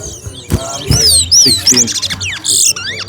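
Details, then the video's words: A chestnut-bellied seed finch (towa towa) in a singing race contest at Alligator Park delivers bright, looping whistles and slurred notes, with a short scratchy burst, while people talk and count in the background. "TOWA TOWA BIRD RACE"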